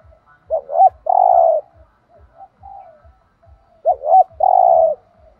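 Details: A spotted dove sings the thúc gù coo, thổ đồng style, twice, with the phrases nearly three seconds apart. A quick two-part warble precedes a steady drawn coo, and soft quiet notes fall between. Regular low ticks continue.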